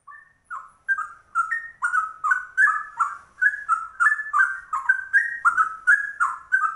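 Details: Ropel in straw-headed bulbul style from a rare yellow-vented bulbul (trucuk): a couple of soft opening whistles, then a fast, steady string of rich, fluty two-part slurs repeated roughly three times a second.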